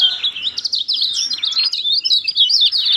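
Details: Lemon-bellied white-eye singing to coax a silent bird into voice: an unbroken, very high, rapid warble of slurred rising and falling squeaks.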